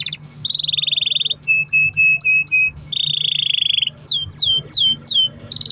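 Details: Singing canary on a long roll, played to coax other canaries to sing: dense buzzy trills alternate with a run of sharp repeated chips, then a series of downslurred whistles, a low constant hum behind.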